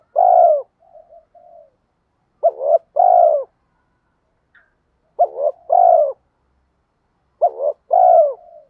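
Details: Spotted dove giving lure coos to excite wild birds. Four low, rounded phrases, each a short stuttered note then a longer hoot, about every two and a half seconds, with faint quiet coos near the start.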